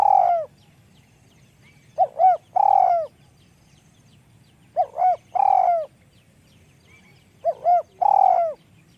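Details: Spotted dove with a high, small voice calling steadily: three phrases, each a pair of quick arched notes and a long trilled coo falling away, separated by short quiet gaps.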